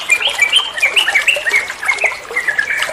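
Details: Trucuan bulbul singing in a recording meant to train other songbirds: quick, jumbled bursts of bright chirps and slurred whistles, rising and falling, crowded together continuously.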